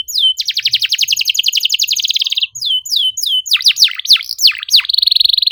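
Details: Canary singing a lively, non-stop song in trilled phrases: fast falling sweeps repeated many times a second, a steady high trill, then looping rising-and-falling notes, all clear and bright with no other sounds.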